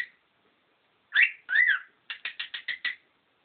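A cockatiel gives two drawn-out warbling whistles, then a quick run of six short chirps.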